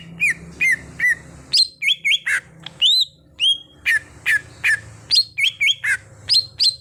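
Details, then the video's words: Cucak hijau, or greater green leafbird, trained from a raw bird toward gacor singing, delivers crisp whistled notes roughly every half second, some rising and some dropping sharply, over faint background rumble. "Pandai Membuat Cucak Hijau Bahan jadi Gacor"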